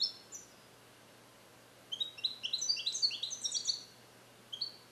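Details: Young caged European goldfinch, born in captivity in 2021 and trained with Neapolitan song passages, delivers a quick run of tinkling, high chirps in a dense burst mid-clip, with brief notes at each end over a low hum.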